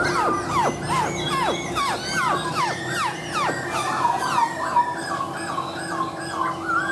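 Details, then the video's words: Laughingthrush song built from quickly repeated, steeply falling slurred whistles, roughly two or three per second, giving way to softer level whistled notes, with a steady low droning hum beneath. "Chim khướu mộc dở , a e thẩm giọng cực hay luôn"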